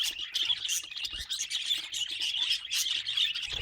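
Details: Several budgies kept as pets warble continuously, mixing grating chirps, short rising whistles and clicks into an unbroken cheerful chatter.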